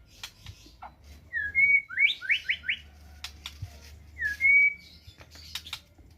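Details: White-rumped shama singing: a clear level whistle followed by a quick run of three or four falling slurred notes, a pause, then another drawn-out whistle, with soft clicks and low background hum.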